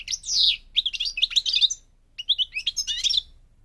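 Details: Goldfinch from Morocco, North Africa, singing two rapid phrases of tinkling, rolling twitters and sweeping slurred notes, separated by a short silence.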